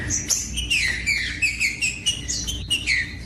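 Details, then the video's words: Green-winged saltator in full song, used to warm up other saltators: a rapid string of whistled downslurred notes, evenly repeated several times a second, crisp against a quiet background. "COM TRINCA FERRO CANTANDO"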